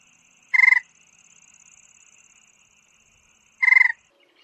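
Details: A secretive rail detected only by voice, with a repertoire of grunts, squeals and tapping notes, gives two short, nasal, rapidly pulsed squeals about three seconds apart, with a faint thin high hum between them.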